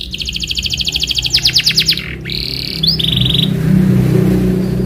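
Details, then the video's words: Lure recording of a canary's rolling song, used to prompt another canary to answer and learn: fast even trills of chirps, then a lower-pitched rapid trill, steady low rumble beneath. "PANCINGAN Cuit Cuit Cuit Kenari Belajar Bunyi gacor ngerol"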